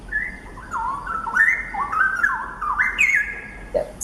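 A Straw-headed Bulbul pours out a loud, liquid, flute-like warble of tumbling notes that rise and fall through four seconds, with a faint hiss in the background.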